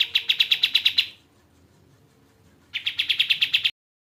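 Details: Crescent-chested babbler (kapas tembak) song on a tutor recording for training songbirds: two bursts of about nine quick, bright, high-pitched notes each, separated by roughly one and a half seconds of quiet.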